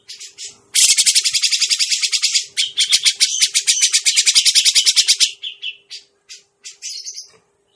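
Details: Lure recording of a grey-cheeked bulbul for catching birds: a few brief calls, then a loud, sustained four-and-a-half-second stream of rapid grating chatter, trailing off into short spaced harsh notes, with a faint steady hum behind.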